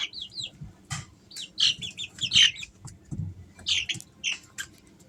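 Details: Three-week-old Easter Egger chicks give high, thin peeps, some arching up and down in quick slurred notes, scattered irregularly over five seconds, mixed with soft broadband scratches and rustles of movement.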